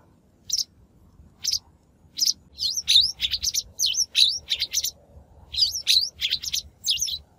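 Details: Shrike lure recording of natural voice, used for trapping or training wild-caught birds; sharp high chirps in quick bursts, some with V-shaped dipping notes, in clusters across several seconds, over a faint low rumble.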